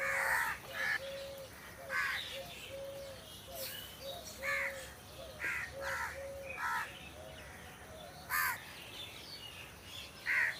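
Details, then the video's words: Crows in trees giving scattered short harsh caws, one louder burst near the end, while another bird repeats soft low whistled notes in the background. "Crow Sound Crow Ki Awaj"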